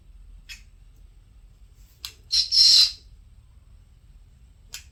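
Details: Green-cheeked conure, one of two pet conures named Mitthu and Reo, gives a harsh, high squawking chirp about a second long, with a few brief sharp clicks before and after, in a quiet room.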